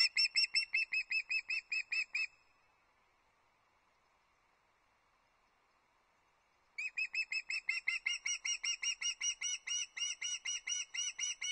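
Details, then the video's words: Young osprey at its Loch Arkaig nest on 31 August 2022, fish calling ahead of a trout delivery by the male parent: rapid series of sharp piping notes, a four-second pause, then the insistent piping resumes. "Sarafina arrives on the nest - fish calling"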